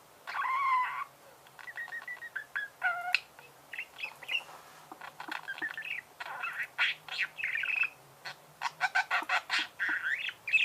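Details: Budgerigars singing a long, varied warble: a nasal squawk, then twittering chirps, buzzy phrases and sharp clicks repeated in quick succession throughout.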